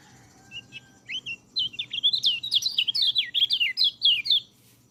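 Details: White-eye song played to prompt birds that rarely sing: a few soft opening notes, then a sustained, rapid string of high, twisting whistled notes, loud and lively, ending abruptly; faint low hum behind.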